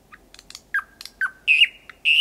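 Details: Close-range night song of a thrush nightingale in Estonia, early May: faint clicks, two downward-slurred whistles, then a pair of longer, louder, higher notes.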